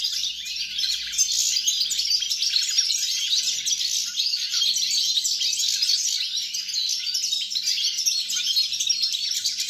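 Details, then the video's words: Long stretch of goldfinch song dated 29 December 2022, an unbroken cascade of high chattering twitters and trills, with a soft low rumble early on and a steady background hum. "GOLDFINCH SONG"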